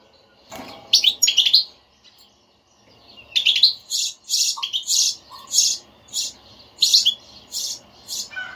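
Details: Stimulating bitbita of a European goldfinch for silent caged birds: an opening twittery burst, then a fast run of buzzy, rhythmic high notes repeated about twice a second, over light background hiss.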